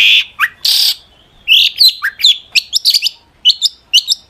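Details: Long-tailed shrike song used to provoke other shrikes to answer: harsh buzzy bursts followed by a rapid series of sharp high chirps and short rising whistles, delivered in quick uneven clusters.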